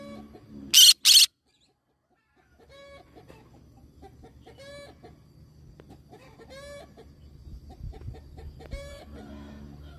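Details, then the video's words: A green-cheeked conure lets out two harsh, rasping screeches in quick succession early on, then falls silent while softer, repeated clucking calls from other birds continue over a low background hum. "green cheek conure parrot sound"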